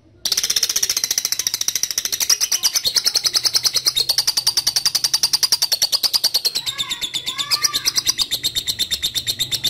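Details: Lovebird calling a rival, used as a lure to prompt long ngekek chattering: a fast, high, rattling chatter of rapid even pulses that runs unbroken for about nine seconds, with faint lower whistled notes from another bird near the end.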